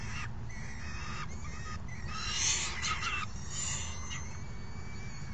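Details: Hungry falcon young at the nest, June 3, 2018, being fed by a parent after the meal is delivered: drawn-out harsh squeals and thin whistled notes overlapping in a loud burst near the middle, over a constant low roar.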